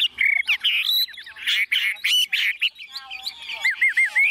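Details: Tame caged Chinese hwamei, kept in a hand-carried cage that is being shaken, unafraid of people or other birds, singing loud varied phrases: rich whistles, rapid trills and repeated looping notes, with short gaps between bursts.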